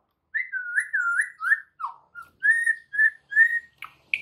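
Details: Oriental magpie-robin master song meant to make other magpie-robins reply, here a run of clear whistled notes, some slurred downward, in a short varied phrase.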